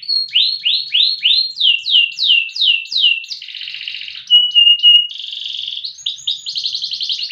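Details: Loper-style canary bred for song duration and volume: a run of swooping down-slurred notes about twice a second, then a dense buzzy roll, a short steady whistle, and closing rapid rattling trills.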